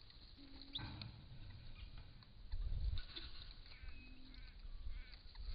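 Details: A wild male common bronzewing in Australia, filmed by camera trap with its crown raised, gives two deep, hollow 'oom' notes several seconds apart, over low rumbling wind and faint chirps from other birds.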